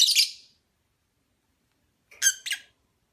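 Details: Opaline parblue lovebird giving a harsh high chirp, a pause of well over a second, then two squeaky, slightly lower chirps in quick succession.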